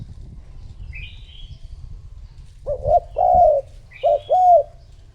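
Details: Spotted dove lure call to bring in other doves; after a high chirp from a small bird, two clear phrases of a short stuttered coo and a longer mellow coo, over faint rumbling noise.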